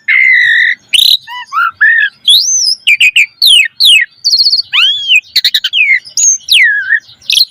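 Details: Varied song of a caged Asian pied starling, played as a lure for training captive starlings: a steady whistle, then sweeping slurred notes, harsh bursts and looping whistles that swing up and down, delivered loud and fast.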